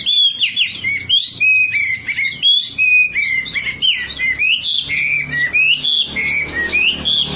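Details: Wambi song used to lure birds into singing: continuous fast warbling of clear whistled notes that rise and fall, mixed with high twitters, with no breaks.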